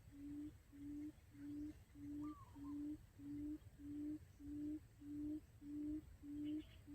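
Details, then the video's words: Quail calling as a trapping lure: a clear series of low, soft hoots, each swelling then cut off, about eleven in seven seconds, with one brief higher bird whistle. "Tiếng chim cút mồi"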